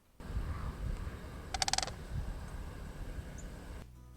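A Sandhill Crane gives one brief, rolling, rattled bugle of rapid pulses, over a steady low rumble of background noise.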